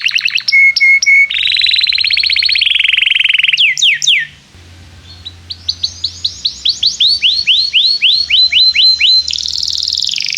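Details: Excited canary singing as a lesson for young birds learning to sing: high rolling trills and steady tours, a brief pause, then loud downward-sweeping notes repeated about four per second before a buzzy high trill.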